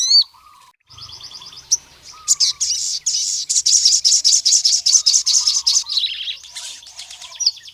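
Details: Sogon, or ruby-cheeked sunbird, singing to challenge rival males: a brief squeak, then a long, steady, high-pitched run of rapid repeated notes, with a lower chattering warble in the background throughout.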